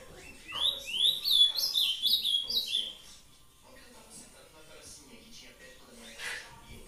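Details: An ultramarine grosbeak from a breeder sings a sweet phrase of clear, rising and falling whistled notes lasting about two and a half seconds. Faint background sounds and quiet follow.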